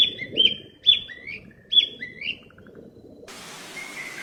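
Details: Three high whistled phrases from a wild flycatcher, each a sharp note sliding down into a lower tail, over a low rumbling background, followed by a sudden loud hiss of noise.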